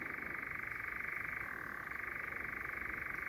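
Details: A European nightjar churrs very close at night in Sherwood Forest on 14 May: a continuous, rapid mechanical trill that briefly dips lower in pitch before returning, with no pause. A second bird calls very distantly.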